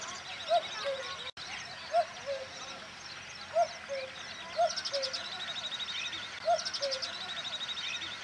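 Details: Common cuckoo (Eurasian subspecies Cuculus canorus canorus) in Rajasthan gives five falling two-note "cu-coo" calls, one every one to two seconds, while other birds chatter and trill high behind it.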